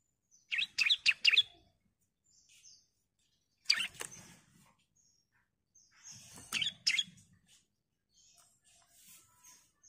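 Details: Female bar-winged prinia calling to a male, giving short clusters of three or four sharp, high chirps separated by several seconds of quiet.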